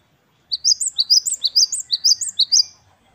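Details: Great tit, Parus major, known locally as gelatik batu, in lively wucit wucit kristal song: a clean string of about twelve very high, bright chevron-shaped notes, each rising then dropping, delivered quickly and evenly.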